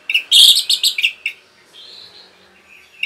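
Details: Orange-headed thrush giving rapid 'rapet' song meant to rile other birds; a dense burst of sharp, high chirped notes for about a second, then a thin faint warble and a final sharp note.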